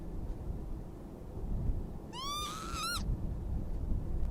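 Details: Northern lapwings at Oandu, Virumaa, Estonia, in March 2022: one drawn-out hoarse call rising then levelling, rich in harmonics, lasting about a second, over steady low rumbling background noise.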